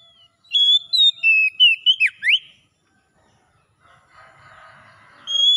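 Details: Oriental magpie-robin 'ngalas' song for reviving a bird that has stopped singing: a rapid run of bright whistles ending in steep downward sweeps, a silent gap, a soft hiss or rustle, then a fresh whistle starting.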